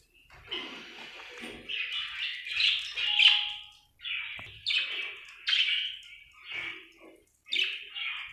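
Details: Happy budgie chattering in a long run of scratchy, warbled chirps, phrases of about a second broken by short pauses, with a faint soft tone near the middle and a quiet indoor background.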